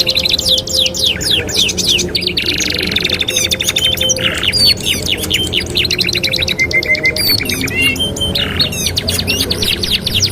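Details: Master song of a canary for training other canaries: continuous high trills of quick repeated notes, interrupted by buzzy patches and bright whistled glides, delivered in busy, overlapping phrases over a steady low background.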